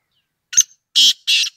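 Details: Black francolin calling with a short rough introductory note, then two loud, broad, scratchy notes about a third of a second apart, evenly spaced and harsh in tone, with no other sounds.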